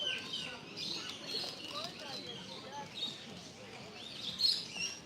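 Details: A crowd of parrots of many kinds, including cockatoos, in an aviary on Batumi Boulevard by the Black Sea in Georgia chatters nonstop with overlapping high squeaks, chirps and shrill squawks, and a sharper screech near the end; a person talks quietly underneath.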